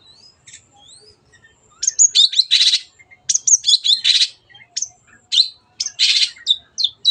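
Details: Long-tailed shrike; song; lure to make birds sing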